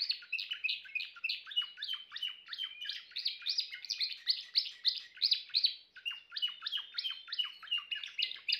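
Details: Timbrado canary delivering continuous song of fast, evenly pulsed metallic trills, tone shifting between phrases, loud and unbroken for almost nine seconds.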